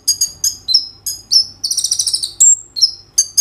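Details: Gacor kolibri ninja sunbird with roll and tembak fills, phone-recorded as a lure to get other sunbirds singing: bright high chirps and falling whistles, a dense buzzy trill in the middle, then sharp clipped notes.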